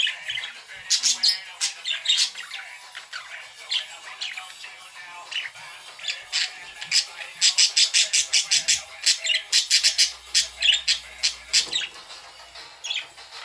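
Budgerigars chatter and warble in a busy stream of scratchy chirps and rapid, harsh squawks.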